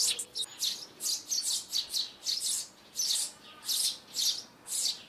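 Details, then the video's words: Sparrow calling and landing sounds used with a loudspeaker for trapping, January 2021: sharp high chirps in short bursts, repeated roughly twice a second with brief quiet gaps between them. "Tiếng Chim Sẻ Tháng 1 Mới Nhất 2021(Tiếng GỌI VÀ XUỐNG )"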